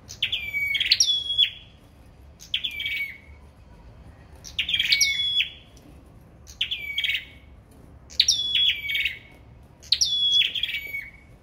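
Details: Competitive song of a sâu đầu đỏ bird: clustered sharp chips run into drawn-out whistles that slide downward, delivered in bursts roughly every one and a half seconds over a faint low hum.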